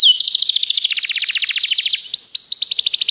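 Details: Canary song meant to train other canaries: a long rapid trill of rolling notes lasting nearly two seconds, followed by quick rising whistled phrases.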